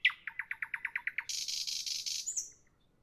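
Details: Nightingale singing in the evening: a rapid series of about ten clicking, repeated notes, then a harsh dense rattling burst and a brief high whistle.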